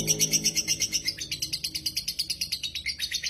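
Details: Very active dakocan lovebird singing, played to stir lazy lovebirds into song; rapid high-pitched chirring pulses about three per second, with a brief low hum underneath at the start.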